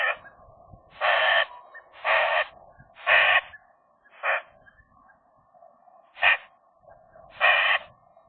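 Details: A young Eurasian magpie pair flirting inside their nest in January, in winter, the female new to the territory: harsh, broadband rasping bursts roughly every second, with soft, low tonal murmuring between them.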